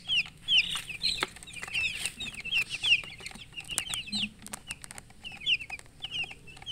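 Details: A group of baby chicks peeps in a dense run of high, falling notes, with clicks and tapping sounds scattered through.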